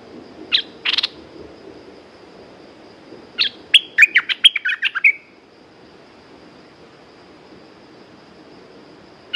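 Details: Caged red-whiskered bulbul used for lure song: two isolated sharp chirps, then a hurried run of about eight bright, slurred whistled notes ending in a soft trill, followed by long quiet and one last chirp.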